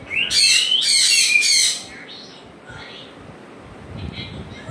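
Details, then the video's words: A pet African grey parrot calling at home: three loud, harsh, broadband squawks with rising whistled tones in the first two seconds, then quieter chatter and room sounds. "my african gray parrot sounds making"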